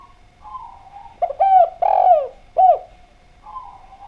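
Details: Clear-voiced spotted dove singing as a lure for other doves: quiet soft cooing, then three loud, rounded coos, short, long and falling, short, followed by more soft cooing, over a steady faint hum.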